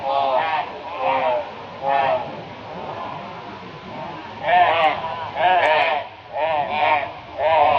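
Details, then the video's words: Several crows tormenting a barn owl with loud raucous calls, Brisbane, Australia, 22 February 2022; harsh caws repeated roughly once a second, quieter in the middle, then louder rapid bursts. "Crow Reacts to Barn Owl with High Volume Raucous Noise"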